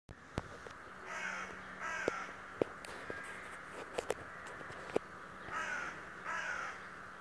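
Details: Raven, described as a talking bird that watches daily, giving four harsh, hoarse calls in two pairs, with sharp clicking knocks between them over a steady background hum.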